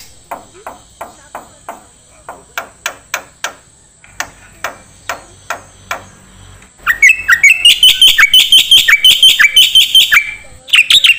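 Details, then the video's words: Black-winged starling recording used to train songbirds: evenly spaced dry ticks for several seconds, then a loud rapid run of sharp whistled and chattering notes. "MASTERAN KICAU Jalak Putih"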